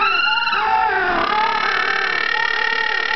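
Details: Little penguin at Penguin Island, Western Australia, giving a loud, rich braying call: a throaty, nasal tone that dips then holds steady for about three seconds, with no other sounds.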